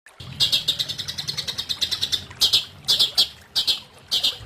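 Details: Long-tailed shrike song: rapid series of sharp, high chirps in quick bursts, followed by separated clusters of bright trilled notes with short pauses between them.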